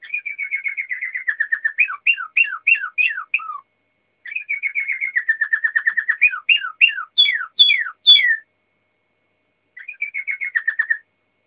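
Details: Singing waterslager canary, phrases of rapid bubbling trills that drift downward and break into spaced descending whistled swoops, some beginning with a high sharp note; a pause, the phrase repeated, then another short trill.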